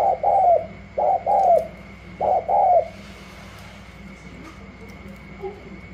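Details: Wild spotted dove from Cà Mau, just brought in and pitted against another dove, cooing gù la: three paired coos, a short note then a long falling note, followed by quiet with faint distant sounds and a steady hum.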